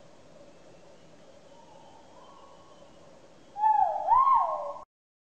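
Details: After several seconds of near silence a great argus gives one loud ringing whistle, a two-part rising note with a sustained tail; its call is said to carry tens of kilometres.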